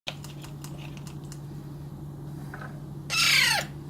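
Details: Baby Alexandrine parakeet being hand fed, giving a single harsh, raspy squawk lasting about half a second that ends in a falling tone, after faint clicks and a steady low hum.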